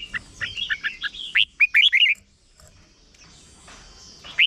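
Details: Red-whiskered bulbul, a short song played to teach young bulbuls, gives a quick run of bright, bubbly whistled notes, rising and falling, then a pause before a final upslurred note.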